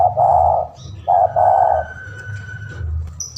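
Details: Lure recording of a lively spotted dove calling a rival, two soft hooting coo phrases close together, the second longer and drawn out, followed by quiet with a constant low rumble behind.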